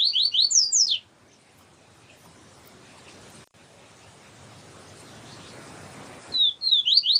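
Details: Double-collared seedeater (papa-capim siu-siu) song paired with a female calling to excite the male. Quick bursts of high, descending slurred whistles, about a second long, open and close a long stretch of steady background hiss.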